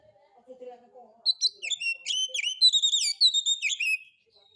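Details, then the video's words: Relaxed kacer song used as a lure, the Oriental magpie-robin singing alone in harsh-style material: faint low warbling, then a busy stream of high whistled chirps with downward flicks, about three per second. "Pancingan Suara Kacer Santai; NGEPONG NGEPLAY SENDIRI MATERI KASARAN"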